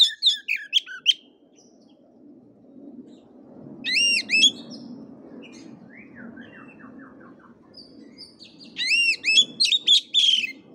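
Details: Kacer (Oriental magpie-robin) lure song for training birds whose voice has not yet opened up: quick series of sharp arched whistles in three bursts, a softer descending chirp run midway, over steady low rumbling background noise.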